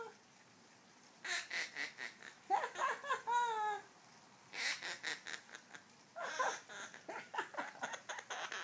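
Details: Quaker parrot kept as a pet, giving laugh-like series of fast repeated raspy notes in three bouts, with a brief warbled whistle in the middle.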